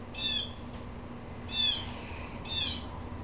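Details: An upset blue jay gives three harsh, buzzy, rasping jeers, each under half a second long and spaced about a second apart. A low steady hum runs underneath.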